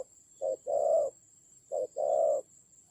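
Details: Decoy spotted dove during a fierce fight in Vietnam's Central Highlands forests, October 2020: two low coo pairs, each a clipped note followed by a longer, fuller hoot, with a faint constant high-pitched hum behind.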